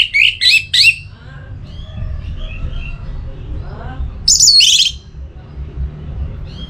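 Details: Orange-headed thrush singing, a recording meant to stimulate other birds: quick high whistled notes at the start, faint softer twitters in the middle, then a loud high squeaky phrase.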